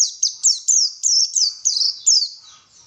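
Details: White-eye (pleci) song used as a lure to get birds singing: a fast chain of high, bright notes, each dropping sharply in pitch, some stretched and warbled, delivered in a continuous tumbling stream.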